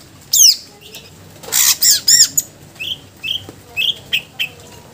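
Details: Greater green leafbird in full song packed with mimicked phrases, used as a lure and tutor bird: a rapid medley of sharp descending whistles and squeaky notes, then short chirps repeated about twice a second.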